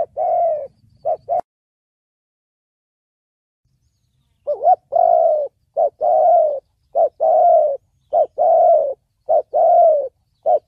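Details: Thổ bầu voice of a spotted dove, meant for trapping and training birds: an opening coo phrase, a few seconds of silence, then a steady run of paired hollow coos, short then long, roughly once a second.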